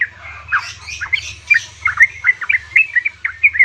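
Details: A yellow-vented bulbul female calling a male, meant to set caged males singing: dense, quick chattering notes, bubbly and slurred, over a constant low hum.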